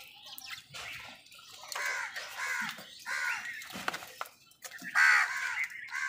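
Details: Crows fighting other birds for food: a series of harsh, hoarse caws repeated roughly every half second, mixed with squawks and scuffling of the birds competing at the food.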